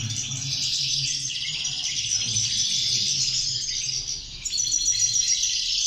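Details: Group of European goldfinches in full song, a steady stream of fast chattering, tinkling notes and short trills, briefly thinning then swelling again near the end.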